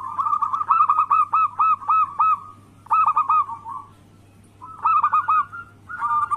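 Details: Local zebra dove lure song for stirring rivals to call: three clusters of quick, hollow cooing notes, each ending in a longer drawn note, separated by short silences, with a faint hum.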